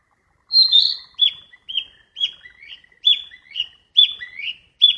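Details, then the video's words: A flycatcher in the wild sings a lively run of high whistled notes, each a quick downward slur with a short tail, delivered about every half second in a clean, quiet recording. "Burung sikatan di alam liar"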